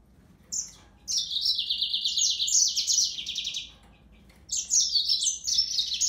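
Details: Yellow-fronted canary singing: two high bursts of rapid trilled and buzzy phrases stepping between higher and lower pitches, separated by a pause of about two seconds, in a quiet setting.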